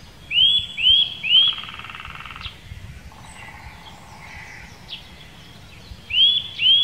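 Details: Eurasian nuthatch, Wittlicher Senke: a quick run of three upswept whistles, then a pause with softer, lower buzzy sounds, and two more rising whistles at the end.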